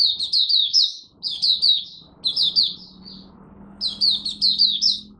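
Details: Malaysian white-eye, a cage bird singing its morning opening warm-up on 01/08/2023: four bright bursts of fast, high, sweet twittered notes separated by short gaps, a low hum audible in between.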